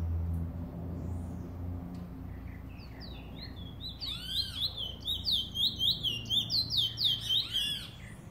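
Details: Trinidad bullfinch song: soft scattered notes at first, then a rapid, bright series of high whistled, bouncing notes repeated about four times per second, over a low background hum.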